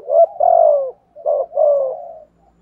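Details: Cooing of a spotted dove used as a decoy, thúc gù style with giọng thổ voice. Two phrases run close together, a quick rising note leading into a long, gently falling coo.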